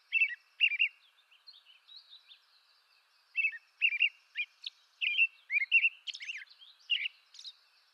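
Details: American robin (Turdus migratorius) of eastern North America singing short warbled, caroling phrases in bursts, then a denser run of squeaky high notes after a brief pause; clean background without other sounds.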